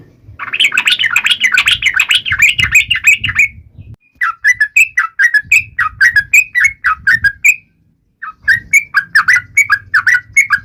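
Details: Yellow-vented bulbul in full song aimed at rivals, opening with a dense bubbling chatter, then runs of separate whistled notes broken by brief pauses, with intermittent low rumbling noise.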